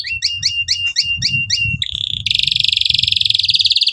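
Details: Canary tutor song for young birds learning to sing: a series of clipped two-tone chirps repeated about every quarter second over low background rumble, then a long rapid buzzy trill.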